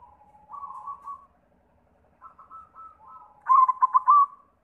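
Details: Perkutut putih, a white zebra dove, singing as a lure for other doves. Mostly faint, gentle trilled cooing, then a single louder burst of quick staccato coos near the end.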